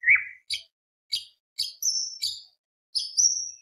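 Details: Greater green leafbird singing to excite other birds: a warbled note, then separate crisp high chips about every half second, some drawn into piercing thin whistles.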